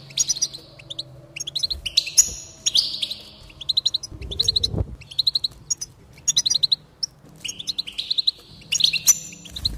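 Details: A goldfinch's high twittering song meant to stimulate singing, with bursts of clipped chirps alternating with drawn-out nasal buzzes, phrases separated by brief pauses, and a dull knock midway.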